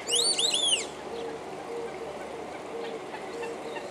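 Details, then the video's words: Australian wood duck (maned duck, Chenonetta jubata) at Park Blanckendaell, Tuitjenhorn, Netherlands, gives a quick run of three or four high, nasal, arched mewing notes in under a second, over a low steady hum. "Maned Duck"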